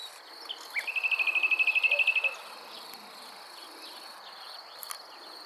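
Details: Common nightingale song near Montana, Bulgaria, 23 May 2020: a brief lead note, then a fast, even run of about fifteen loud, sharp repeated notes, over a steady high insect drone.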